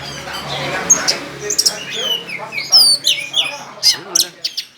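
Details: Orange-headed thrush singing loudly with tail spread, a style prized by judges at songbird contests; a rapid, varied run of high sharp chirps, slurred whistles and buzzy notes with brief pauses, plus a low hum underneath.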